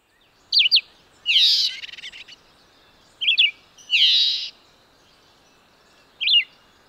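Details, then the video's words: Song of a red-eyed vireo: three short wavering whistled phrases spaced a few seconds apart, interrupted twice by louder harsh, raspy bursts of sound. "Singing Red-eyed vireo"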